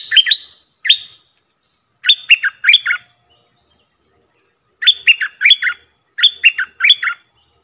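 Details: Decoy Streak-eared bulbul singing clipped, bubbly phrases of three to four quick slurred notes, grouped in bursts separated by silent gaps of one to two seconds, with a clean, quiet background.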